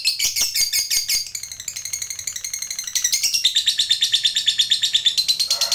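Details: Fighter lovebird kept by hobbyists performing a long ngekek chatter: fast, shrill, evenly pulsed notes changing pitch in several sections, unbroken for nearly six seconds.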